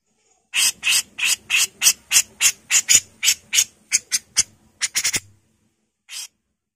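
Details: Female grey-cheeked bulbul (Alophoixus bres) singing a quick run of about fifteen harsh, scratchy, high notes, roughly three a second, then a short pause and a few more.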